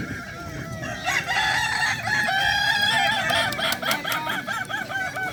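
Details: Kukuak Balenggek rooster at a crowing contest in Danau Bawah on Sunday, 6 October 2024. It gives a long crow of many repeated, arched, stepped syllables. Other roosters and crowd noise sound faintly behind it.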